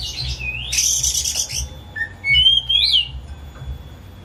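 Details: Pet white-rumped shama kept at home, singing as a lure for a non-singing shama: brief whistle, a harsh buzzy rattle, then a looping bright whistled phrase, with low humming in the background.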